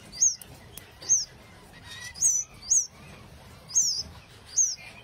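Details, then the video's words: Canaries giving short, bright, high chirps, each a quick downward-sweeping note, six spaced about every second over a quiet background. "Kanarienvögel | Canary Birds"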